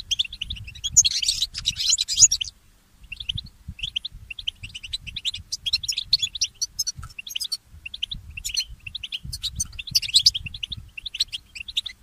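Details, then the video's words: Goldfinch hybrid (mule) singing early in the morning: an opening burst of buzzy, scratchy twittering, a brief gap, then continuous rapid chirps and trilled phrases, with soft low thuds beneath. "The inspiring Motif of the Mule Goldfinch"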